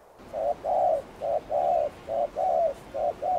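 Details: Spotted dove in the thúc gù cooing style, used to lure wild doves: low, hollow coos in short-long pairs, repeated steadily about once a second over faint background hiss.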